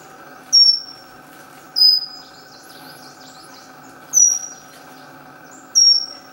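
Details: Pygmy wren-babbler, a tiny forest-floor bird, giving loud, piercing high whistles, each a short note that drops slightly in pitch, spaced about one to two seconds apart, four in total, over a steady low background hum.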